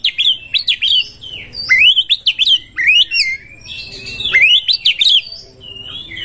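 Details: Oriental magpie-robin song, the bird seeking a rival to fight: rapid varied phrases of rising and falling whistles and sharp chirps, bursts several times a second with brief pauses between phrases.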